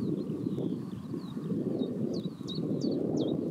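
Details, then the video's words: Common chiffchaff singing near Pehritzsch: after a faint start, about five sharp high downslurred notes sound in the second half, over steady low rumbling noise like wind or distant traffic. "Zilpzalp mit Gesang bei Pehritzsch Vogelstimmen chiffchaff"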